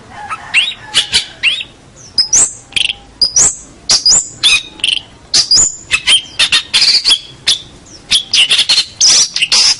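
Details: Champion local long-tailed shrike giving a long, varied song: rapid harsh chatters mixed with thin whistles, some rising and some slurred, delivered in an almost continuous stream.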